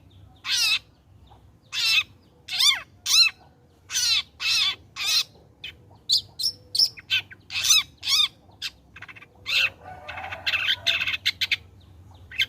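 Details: Long-tailed shrike in full voice after molting, offered as lure sound for shrikes: a long run of loud, harsh, chattering notes with down-slurred tones, irregularly spaced, ending in a rougher scratchy burst.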